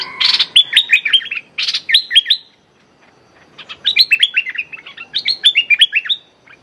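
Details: Decoy streak-eared bulbul used for bird trapping, calling a 'rik' call at a captive young female. Two loud bursts of rapid, chirpy, downslurred notes, high and sharply repeated, separated by a short quiet gap; faint background hiss.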